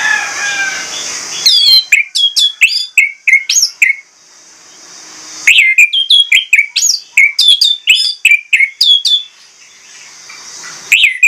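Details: Orange-headed thrush singing a lively, varied song in two long bouts of rapid, sharp whistled notes that jump up and down in pitch, with a quiet hissing pause between them and a short phrase at the end.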